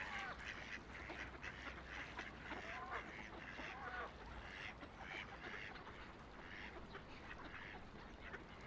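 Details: Ducks along a quiet river, floating and splashing; repeated nasal quacks and a few drawn-out calls sound over a steady bed of flowing water.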